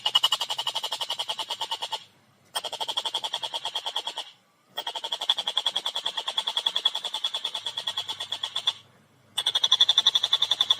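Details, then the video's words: Fast, tightly spaced harsh notes from a vigorously singing collared kingfisher, clear voice, pouring out almost continuously with three short breaks; the rasping, pulsed series stays steady in pitch throughout. "Masteran Burung Tengkek Buto Gacor Suara Jernih Speed Rapat"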